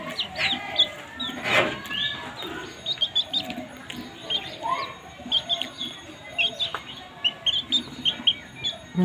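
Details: Feeding baby chicks give scattered thin, high rising peeps in quick bursts, several birds calling at once, with a brief rustling thump early on and faint background noise.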